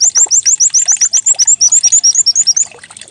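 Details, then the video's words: Pleci (white-eye) decoy song meant to get a bird singing quickly, likened to a canary: a rapid, steady string of bright upslurred chirps, about six per second, fading at the end. "Pancingan pleci agar cepat buka paruh || pleci serasa canary"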